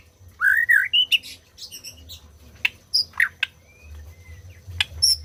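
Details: White-rumped shama song for stimulating silent birds to sing: a loud rising whistled phrase, then scattered sharp clicks, short whistles and thin notes over a faint hum.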